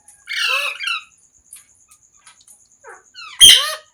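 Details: A parrot lets out a raspy falling squawk, a few faint chatters, then a sudden loud screech that drops in pitch, in a quiet room.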